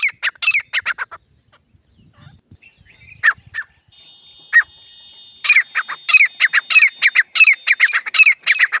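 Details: Grey francolin (teetar) calls in loud harsh bursts with isolated notes between them, then a long rapid sequence of ringing notes, with a steady thin whistle-like tone running behind part of it.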